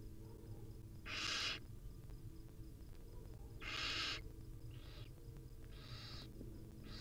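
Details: Wild barn owl mother with her babies at the nest: two loud, rasping hissed screeches about two and a half seconds apart, then three shorter, fainter hisses, against a constant low-pitched background hum.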